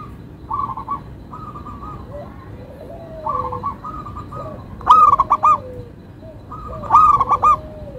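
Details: Melodious song of a local zebra dove: soft purring trilled coos build into two loud phrases of clipped stuttered notes ending in a rolling trill, with a quieter second dove cooing lower.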